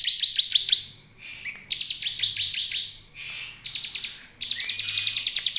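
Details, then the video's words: High, energetic bar-winged prinia song used as a lure to set other birds singing, delivered as dense rattling bursts of quick piercing chips about three per second, with brief gaps and a thin sustained whistle late on. "Tidak satupun ciblek yang tidak bunyi dengan pancingan ciblek ini"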